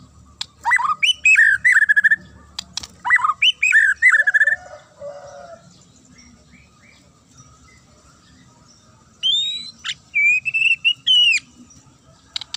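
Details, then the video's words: Fighter murai batu (white-rumped shama) delivering sharp, clear shrill phrases: rapid jumbled whistles in two bursts, a quieter lower warble, then higher slurred and upswept notes after a long pause, with occasional click-like ticks. "AKSI MURAI FIGHTER 2 LENGKINGAN SUARA TAJAM & JERNIH"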